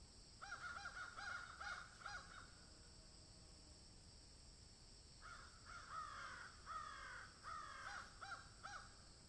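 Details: Crow cawing while eating food: a quick run of about six harsh caws, a pause of nearly three seconds, then a second run of about eight, over a constant high-pitched background hum.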